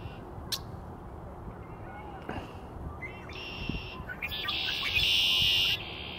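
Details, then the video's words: Red-winged blackbird, 18 March 2020, gives a few short clipped notes, then a harsh, buzzy trill lasting over a second, over steady low rumbling background noise. "Red-winged Blackbird"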